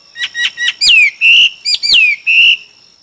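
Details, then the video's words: Chinese hwamei in a song contest: a quick run of short chirping notes, then loud long whistles that drop steeply and hold level, repeated in pairs. "Hoạ mi hót đấu"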